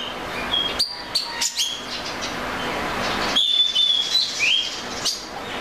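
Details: Oriental magpie-robin singing: clear whistled notes, short sharp chirps and a rising trill, in irregular bursts with pauses between phrases.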